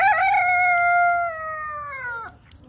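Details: Rooster crowing in a compilation of funny rooster noises: a loud harmonic crow that rises briefly, holds steady, then sags and drops off sharply after about two seconds, followed by quiet.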